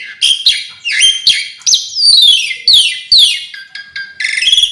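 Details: Asian pied starling song with varied mimicry-like filling, a rich medley of whistled downslurs, harsh rising notes and chattering phrases in quick bursts separated by short pauses.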